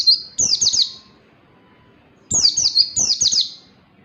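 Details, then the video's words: Oriental white-eye (pleci) tutor song for teaching reluctant birds: rapid clusters of high, downward-slurred tweets, each cluster of three to four notes, two bursts separated by about a second of silence, with a thin steady tone beneath. "masteran pleci agar cepat ngalas, pleci belajar materi"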